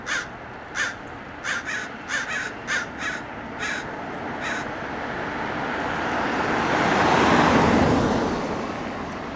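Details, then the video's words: Mobbing American crows dive at a Red-tailed Hawk perched beside a road in Del Monte Forest, California: a rapid run of about ten harsh caws in four seconds, followed by a car passing loudly. "Crows mob and dive-bomb the Red-tailed Hawk"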